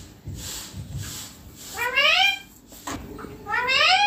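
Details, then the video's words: Green ringneck parrot on a neem tree giving two strong, rising harmonic squawks about two seconds apart, with faint low rustling and a soft click between them. "My lovely green ringneck parrot flying"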